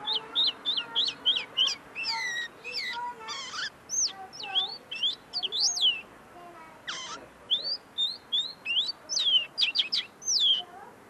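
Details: Tame common linnet singing just in front of the person, its notes still being perfected: a long, varied twittering of high chirps, rising and falling slurs and a couple of rasping buzzes over eleven seconds.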